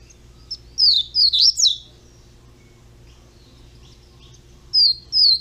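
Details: High, sweet slurred notes from a young double-collared seedeater in a cage, a tight group of four followed by a pause and two more notes near the end.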